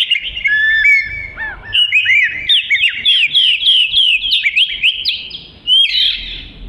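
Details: An Oriental magpie-robin (Copsychus saularis) sings a rich, fast run of varied whistles and slurred chirps, rising and falling, with several short phrases a second.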